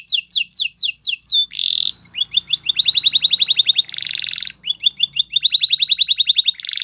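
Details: Spanish Timbrado canary song for training canaries: rising whistled sweeps, a buzzy burst, then long rapid metallic trills broken by a dense rattling roll, continuing to the end.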